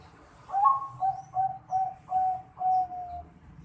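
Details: Young zebra dove of the Bangkok type, aged 4.5 months, giving its call: six clear, mellow, fairly low cooing notes, the first a little higher and the last drawn out longest. The background is quiet.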